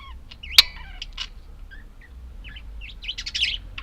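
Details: Pet budgerigars chattering, with scattered chirps and warbled notes, a sharp click near the start and a cluster of high, rapid chirps toward the end.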